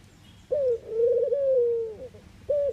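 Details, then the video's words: A Eurasian collared dove in the Netherlands coos low and hollow: a brief note, then a long drawn, slightly falling coo, with the next phrase starting at the end. "Ringneckdove cooing, Collared call, dove sound"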